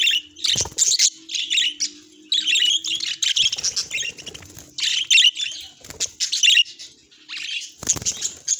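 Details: Pet budgerigar giving cheerful, happy chirps: rapid clusters of bright, buzzy high notes broken by short gaps, plus a few sharp clicks and a faint low hum underneath.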